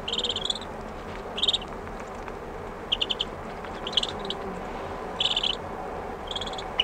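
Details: Close-up calls of Common Shelduck ducklings: short, high, rapid peeping trills in bursts every second or so, with distant sheep and a soft, mushy rushing background.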